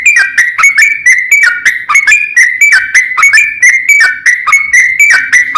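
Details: Rival-calling song of a yellow-vented bulbul in long rolling 'ropel panjang' style; fast, evenly loud chirps sweeping up and down, repeated without pause.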